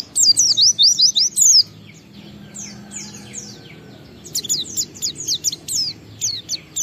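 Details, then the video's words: Oriental white-eye, a caged songbird, singing an ngalas-style song used as a lure to prompt other white-eyes to sing: bursts of high, thin, down-slurred whistled notes in rapid series, a pause of about two seconds, then more bursts. "Suara Burung PLECI Ngalas sambung wiksar Bongkar Isian memancing semua pleci cepat gacor buka paruh"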